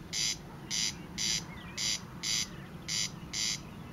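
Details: Corn crake (Crex crex) calling in May 2014: dry, rasping crex notes, about two a second in a steady mechanical series, with faint thin whistles from another bird behind.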